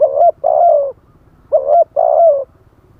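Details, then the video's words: Spotted dove singing as a live decoy for wild doves, wild phrasing: two closely spaced mellow double coos, the second note longer and gently falling, with a low throbbing background hum. "เสียงต่อนกเขาใหญ่ คารมป่า 100 % ต่อสด"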